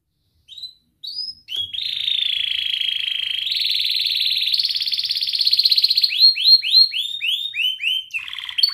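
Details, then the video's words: Young canary training song: a long buzzy rolling trill held steady, stepping up in pitch around the middle, then breaking into a run of rapid descending whistled swoops repeated about four per second. "Kenari gacor NGERIK Cuit Cuit Ngerol nembak - Pancingan kenari paud belajar bunyi"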